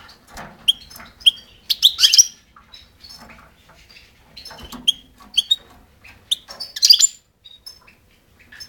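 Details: European goldfinch, recorded 5 June 2011: sharp clicking chirps and short tinny notes in uneven clusters, with quiet gaps between bursts.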